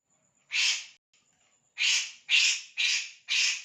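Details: Kores bird calling: five harsh, noisy, broadband bursts, each about half a second, one early then four in quick succession, over a faint steady high hiss.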